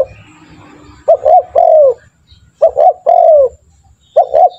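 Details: Spotted dove used to coax trained doves into calling: two full phrases of brief double notes followed by a long descending coo, a third phrase beginning at the end, low murmur in the background.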